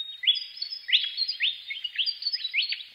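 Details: Willie wagtail singing a lively sequence of clear rising slurred notes at a steady brisk pace, with a few thin higher notes woven between them.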